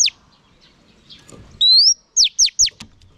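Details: Female oriental magpie-robin calling to stimulate males. One long rising whistled slur is followed by three sharp falling notes in quick succession against a quiet background.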